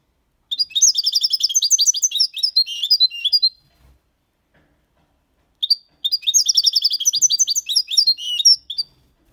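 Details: European goldfinch, six months old, singing clean Malaga copy with motifs and ornaments: two long bursts of rapid, high, tumbling twittering, each about three seconds, separated by a pause of silence.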